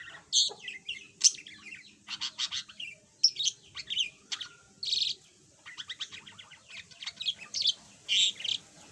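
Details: Yellow budgerigar that was mute before and now chatters a little keeps up rapid high twittering, with squeaky notes, buzzy rasps and short bursts of chirps that run together in quick succession.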